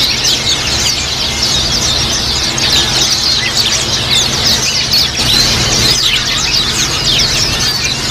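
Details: Crowded group of caged white-eyes used to coax other white-eyes into song: unbroken, busy high-pitched twittering and squeaky trills from many birds at once, with a constant low background hum.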